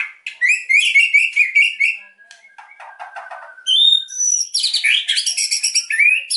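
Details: White-rumped shama in lively, emotional song to draw quiet birds into singing: dense high chirps and trills, a scratchy passage, then loud rapid varied phrases without pause.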